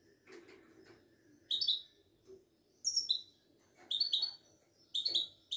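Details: Moroccan Widani goldfinch, a caged songbird, giving short separate twittering phrases at intervals, with faint low background noise between them.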